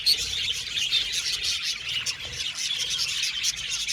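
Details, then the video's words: Aviary budgie colony heard as a lively mass of high chirps and squeaks, rapid and irregular, with brief whistled notes cutting through the constant background twitter. "Budgie Sounds for Lonely Budgies | Natural Relaxing Chirping Sounds"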